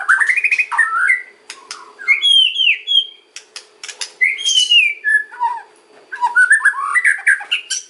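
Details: Lure song of a white-rumped shama in kretekan and ocean style: varied mid-pitched whistled slurs and warbles, broken by sharp clicks and short rasping notes, in fast irregular phrases.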